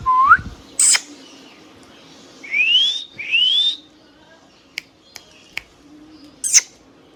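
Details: Tame pet ringneck parrot whistling: a short rising whistle, a high squeak, then two long upward-sweeping whistles, followed by scattered clicks and another high squeak.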